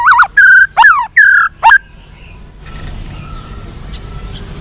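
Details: Captive-training song of a White-rumped shama, aimed at making birds respond and fight: five loud whistled notes with sharp up-and-down inflections, followed by quiet background hiss.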